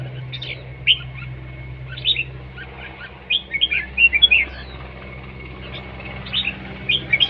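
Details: Red-whiskered bulbul in competition singing, repeated short bursts of bright, chattery whistled notes spread through seven seconds, loudest in the middle, with a faint constant hum behind.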